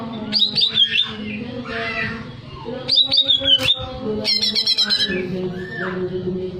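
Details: Greater green leafbird singing to raise breeding arousal, with sharp whistled slurs and rapid stuttering trills in short bursts, and softer downslurred notes between them. A constant low hum runs underneath.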